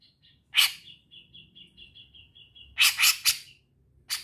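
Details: Grey-cheeked bulbul in full song: a loud harsh burst, then a soft, even run of about ten quick ticking notes, followed by three more harsh rasping bursts and a final sharp note.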